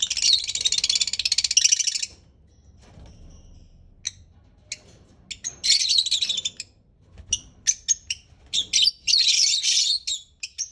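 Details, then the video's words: Parrot calling in bursts of dense, high scratchy chatter interrupted by sharp separate chirps and short pauses. "Cute parrot"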